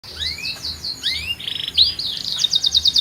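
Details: Canary singing a strong song with an unusual rhythm: high rising whistled sweeps, then a quick buzzy run of short repeated notes toward the end, over a faint low pulsing hum.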